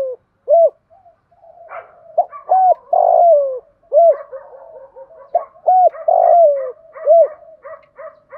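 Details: Spotted dove in "thổ pha" voice, played as a lure for newly caught birds: repeated mellow phrases of arched hoots and a long downward-sliding coo, with faint higher chirping notes scattered behind.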